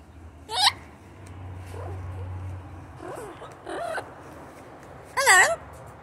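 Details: Four-year-old male blue-fronted amazon making short, harsh, wavering squawks with a warbling quality. The loudest bursts fall near the start and the end, with quieter calls between them over a faint low hum.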